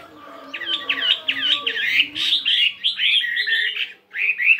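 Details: Fighting Chinese hwamei weighing 72 grams, practising its varied song in the morning: a quick series of bright, looping whistled phrases, then fuller rising and falling notes with short pauses and a faint low hum underneath.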